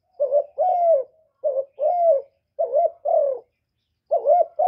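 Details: Spotted dove cooing to lure wild doves to a trapping spot: low, mellow coo phrases, each a short note then a longer drawn-out falling coo, repeated in three or four groups with brief pauses and no background noise.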